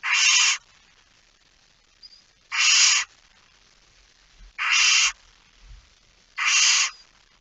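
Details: Barn owl with a small chick in a nest box at night, Fryslân, Netherlands, September 2019: four broad harsh hisses of about half a second, repeated roughly every two seconds, with soft low rustling between.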